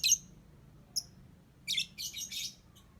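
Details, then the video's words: Lovebird ngetik song: a sharp high chirp, a second one a second later, then bursts of fast, dense, buzzy ticking chatter; quiet room otherwise. "Love Bird Cantik Pinter Ngetik"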